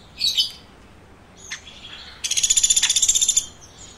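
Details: A woodpecker chirps. A couple of sharp squeaky notes open, then after a pause comes a quick run of about a dozen high, buzzy chirps lasting just over a second.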